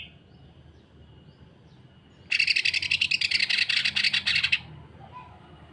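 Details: Dense rough song of a Greater green leafbird, the rapid 'kasaran rapat' style meant for tutoring and provoking other birds of its kind. Quiet start, then over two seconds of fast, harsh, pulsing chatter that stops abruptly, with a faint low rumble.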